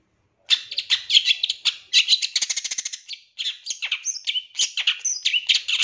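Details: Lively long-tailed shrike song for training other birds: a sudden start, then dense scratchy chatter, a fast trill-like run near the middle, and a varied mix of sweeping whistles and harsh notes.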